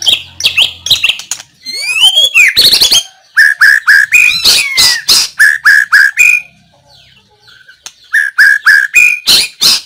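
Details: White-rumped shama song, 17 April 2024: a burst of sweeping whistles and clicks, then loud, evenly repeated mid-pitched whistled notes in quick series, a pause, and another run of the same notes.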